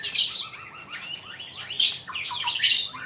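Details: Male magpie-robin song used as a teaching recording for other birds: short high, sharp bursts alternating with quick slurred whistles that rise and fall, packed tightly over about three seconds.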